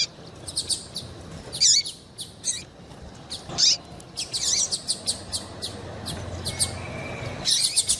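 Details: Female double-collared seedeater calls used to make a male sing in tournaments; high sharp chirps and hooked notes roughly every two seconds, a faint thin whistle and a low rumble later, ending in fast ticking.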